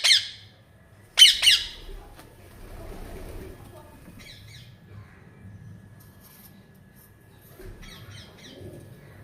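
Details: Pet parrot making a funny sound: a harsh, loud squawk at the start, then a double squawk a second later, followed by quieter scratchy chatter and a low indoor murmur.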